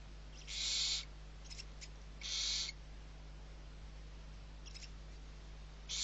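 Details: Six young barn owls calling while fed at Riet Vell, Ebro Delta, Spain, 21 November: drawn-out rasping hisses, two strong ones and several fainter shorter snores, with another starting at the end over a constant low hum.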